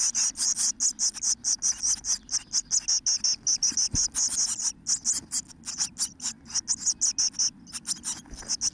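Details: Blue tit chicks in a nest on day 13 of rearing, 12 May 2017: a continuous, rapid series of high, hissing bursts, about three to four each second, with a low background hum.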